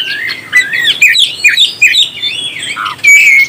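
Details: Oriental magpie-robin song aimed at stirring up other birds; a steady string of clear whistled notes and quick chirps, ending in a loud, sustained whistle.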